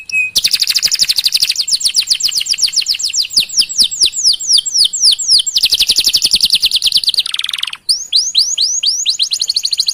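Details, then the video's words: Canary in long continuous song meant to spur other canaries to sing, pouring out rapid downward-sweeping chirps in quick series, shifting speed, then a brief drop and fresh chirp runs. "Masteran Suara Burung Kenari Gacor Panjang Cuit - Cuit Ngerol || Cocok Untuk Memancing Kenari Lain"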